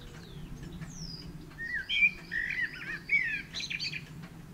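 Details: Eurasian blackbird pouring out a run of rich, varied warbles and whistles after a quiet start, as a second blackbird sings in the background. A pigeon's cooing stays faint and low.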